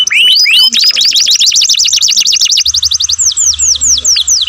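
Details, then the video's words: Loud canary song opening with a few rising whistles, then a fast rolling trill of repeated notes, ending in a slower series of descending whistled sweeps. "most melodious canary song"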